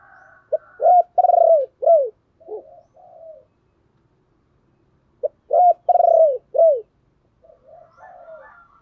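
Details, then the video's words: Spotted dove used as a decoy, calling to lure wild birds: a short clipped note, then three rich downward-curving coos, soft trailing murmurs, a pause, and the same coo phrase repeated. "Chim Cu Mồi Gáy Gọi, giọng này mà dùng kích bổi thì đúng bài"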